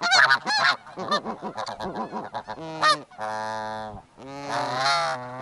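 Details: Snow geese nesting in the Arctic near a snowy owl's nest honk in a noisy chorus: quick, bouncing nasal yelps that overlap, then longer, harsh drawn-out honks.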